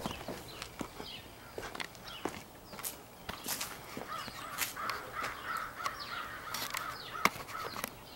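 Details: A big group of crows, possibly picking mates, keeps up a busy overlapping chorus of rasping caws and shorter nasal calls, with scattered sharp clicks and taps between them.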